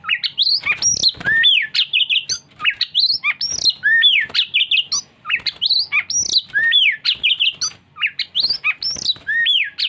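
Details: Oriental magpie-robin singing. Rich, varied whistled phrases with rising and falling slurs, repeating a similar motif about every two and a half seconds, with some sharp clicks between them.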